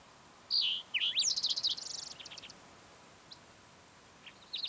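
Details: Green-tailed towhee singing on a June morning high on the Mesa Verde Plateau, Colorado: a sharp slurred whistle opens, then a rapid buzzy trill of repeated high notes, followed by quiet gaps and a faint closing burst.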